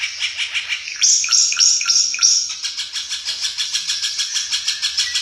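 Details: Ara Mata Merah, a rare bird endemic to East Nusa Tenggara, singing a fast varied phrase of high notes that settles into a steady, rapid series of repeated sharp notes, several per second.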